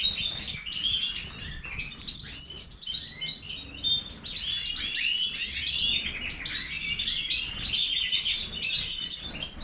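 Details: Sustained song from a European goldfinch of the major form, a lively jumble of sharp downslurred chips, sweet whistles and scratchy trills, delivered in bursts with short gaps over nearly ten seconds.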